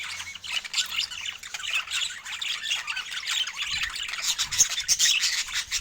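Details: Budgerigars in natural Scandinavian light, chirping with joy over fresh food: a dense, continuous chatter of squeaky warbles and sharp chirps from several birds, with no music or voices.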